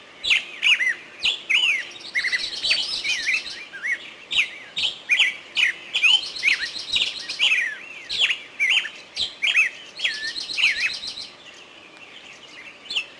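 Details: Woodland chorus of songbirds: rapid clicks, falling and rising whistles and buzzy rattling trills, bursts every half second or so, quieter toward the end.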